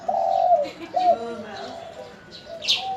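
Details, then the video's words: Spotted dove of a local strain, calling freely in reply to other birds' voices: a long drawn coo followed by a shorter bent note, then fainter tones and a sharp high chirp from another bird. "Burung Derluku Lokal Gacor Denger Suara Burung Lain Langsung Nyaut"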